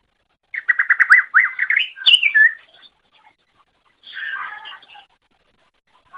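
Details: Greater green leafbird song intended to train other birds: a quick series of repeated rising whistled notes, then a sweeping high whistle, and after a gap a harsher scratchy chatter.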